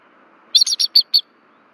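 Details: Warning cry of a bald eagle on the Berry College nest, Rome, Georgia, prompted by an intruder overhead in February 2024; five quick, piercing, high chips in under a second.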